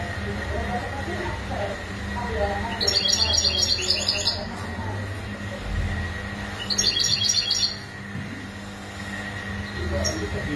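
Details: European goldfinch mating calls used to stimulate males into singing: two bright, tinkling twittering bursts of rapid high notes, each about a second and a half long, over steady low hum and a constant mid-pitched tone.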